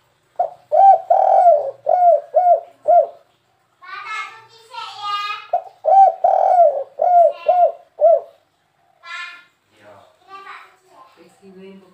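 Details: Spotted dove cooing in the "kuk 3" style, used to draw wild birds in: loud, mellow hooting coos in rhythmic phrases of several notes, broken twice by a human voice.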